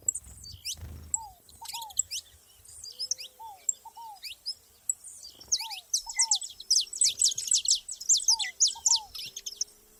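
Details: Saffron finches in nature build from scattered high chirps to a dense, lively burst of sharp, high notes, while a lower downslurred double whistle repeats regularly behind them.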